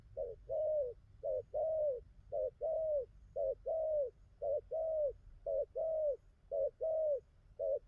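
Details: Freshly wild-caught spotted dove cooing well through its full song: a steady series of seven paired coos, each a brief note then a longer, slightly descending one, evenly paced over a soft low hum.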